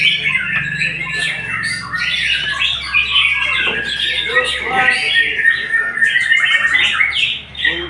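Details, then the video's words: Rich, unbroken song of a white-rumped shama: quick whistled trills, slurred notes and scratchy bursts that switch pitch constantly, with a faint low hum underneath. "Murai memang TOP MARGOTOP"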